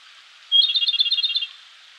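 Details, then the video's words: Japanese robin, wild, in full song in a Koshin mountain forest at dawn in May: a thin introductory whistle followed by a rapid, pulsing rattle of roughly ten notes over about a second, against a calm forest backdrop. "コマドリ 鳴き声"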